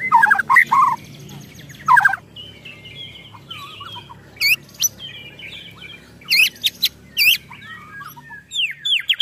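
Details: White-rumped shama in agitated ketrekan: loud harsh bursts and scratchy rattles alternate with pauses and soft chattering, including clusters of sharp rising notes.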